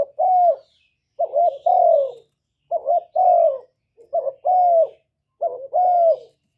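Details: Loud spotted dove song, recorded directly without noise as a lure to make caged doves sing; four evenly spaced phrases, each a quick double coo leading into a longer descending coo.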